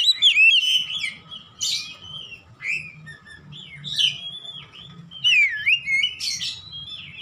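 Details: Oriental magpie-robin in loud, open 'ngeplong gacor' song, used for training caged birds at home: varied whistled phrases with rising and falling slurs, sharp chirps and buzzy notes, delivered in bursts with short pauses.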